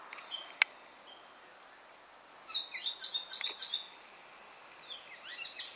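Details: Dusk song of a Carib grackle in Martinique: a single sharp tick, then after a quiet spell a rush of high, sharp, twittering squeaks and short slurred whistles that fades out.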